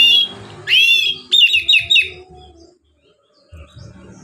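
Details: Relaxed ngeplong singing of an oriental magpie-robin, meant to coax lazy birds into song: a loud upswept whistle followed by a quick series of bright fluty notes, then a brief pause with low background sounds.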